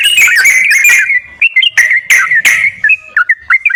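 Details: Lure song of the sooty-headed bulbul, meant to get a quiet bird singing: a rich, warbled chatter at the start, then spaced whistled notes that slur up and down.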